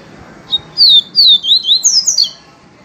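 A Yellow-bellied Seedeater sings a quick run of high, sweet slurred whistles, rising and falling, about six notes in under two seconds, with faint room noise behind.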